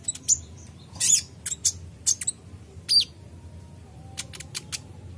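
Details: Purple-throated sunbird (kolibri ninja), a gacor singer meant to draw responses from untrained birds, giving sharp high chirps at irregular intervals, some in quick doubles, then softer thin ticks near the end over faint background hum.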